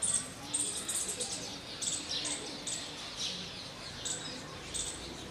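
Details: Green bee-eater (Merops orientalis) giving thin, very high chirps, short bursts repeated roughly every half second to second, over a soft hiss of background noise.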